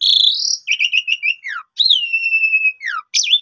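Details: Asian pied starling song serving as a lure to lift another starling's confidence and draw out its repertoire. A bright rising whistle, wavering trilled notes, a falling slur and a long steady whistled tone.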